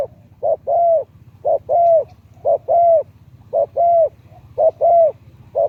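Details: Rhythmic coos of a Thai spotted dove kept as a decoy for luring wild doves, voice medium to deep: a short soft note, then a longer rounded coo, the pair repeated steadily about once a second.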